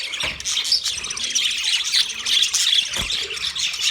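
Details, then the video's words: Colony of 30 pairs of budgerigars chirping together: a dense, continuous chatter of high twittering, warbling and squeaky notes overlapping without pause. "30 pairs Budgies colony sounds Big chirping sounds"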